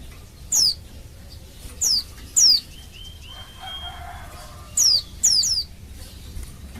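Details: Oriental white-eye female calling males, a lure to stir males into song: short, piercing downslurred notes, three spaced about a second apart, a pause with a faint drawn tone, then three more in quick succession.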